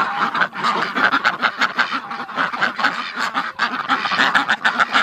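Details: Female Rouen duck, let out of the barn with the flock, courting its keeper to mate; rapid, steady run of short nasal quacks and chattering notes throughout, with laughter nearby.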